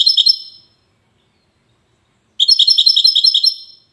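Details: Goldfinch singing the Widani song in Safi, Morocco: a short bright burst, a long silence, then a steady series of about eight chiming, repeated notes.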